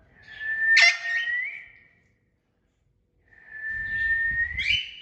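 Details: A talking parrot produces two long, level whistles that climb at the end. A sharp click-like squeak cuts through the first, and a soft low rumble sits beneath the second.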